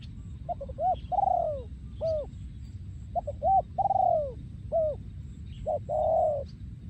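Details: Spotted dove, a breeding male recorded in 2023, giving โยนคูอ่าง-style song: repeated phrases of two short notes, a hooked coo and a long falling coo, each roughly three seconds long, with background hum and faint high chirps.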